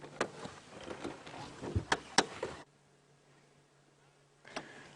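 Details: Clicks and mechanical knocks over a steady low hum, with a break into near silence before a last sharp click; no animal voice is heard.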